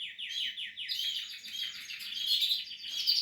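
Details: Young Portuguese harlequin canaries in their nest making a quick run of repeated high chirps, about one and a half per second, merging into a busy, shrill twittering.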